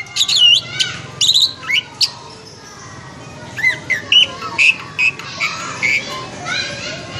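A Javan pied starling sings a jumbled, varied run of clear whistles mixed with harsh, squawky chatter in quick bursts, with a faint background murmur.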